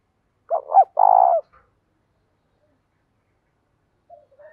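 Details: Morning call of a spotted dove used to lure wild doves, thổ voice mixed with thúc coos: two quick hollow notes and a long rough coo, then silence and faint soft coos at the end.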